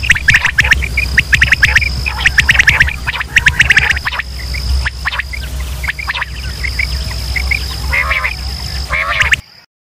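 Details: Pakistani quail-hunting lure of male and female quail calls: bursts of quick chirps at the start and middle, a few downward-sliding notes near the end, then sudden silence, all over a low hum and high whine.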